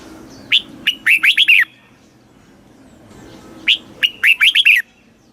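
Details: Red-whiskered bulbul in southern Thai master-song style, meant for stimulating caged birds: two matching phrases, each opening with an isolated chirp, then four or five fast rising-and-falling whistled notes, about three seconds apart.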